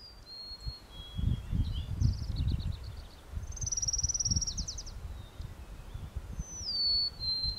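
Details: A singing Orange-crowned Warbler in Glen Alps, Chugach State Park, Anchorage, Alaska, gives a quick, high, thin trill among sharp chips, over low wind. Another Orange-crowned Warbler, Lincoln's Sparrow, Hermit Thrush and Golden-crowned Sparrow may be heard behind.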